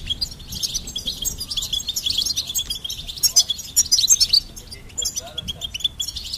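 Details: Goldfinch song: rapid, high twittering with liquid trills and short buzzy notes, denser and louder in bursts between three and four and a half seconds; faint low background rumble.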